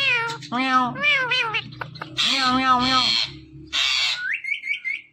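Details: Pet parrot talking nonstop, producing harmonic speech-like phrases and nasal meow-like imitations, then a thin wavering whistle, in quick bursts with short pauses.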